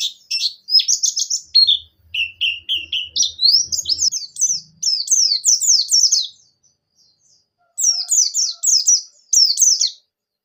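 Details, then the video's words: Javan white-eye, pleci buxtoni, singing in the gacor ngalas ngerol nembak style, used as a lure to get other pleci singing: bursts of rapid, high, down-slurred chirps, some rising runs, separated by short pauses, faint low hum early on. "Suara Burung Pleci Gacor Ngalas Ngerol Nembak,Bikin Pleci Buxtoni Gacor"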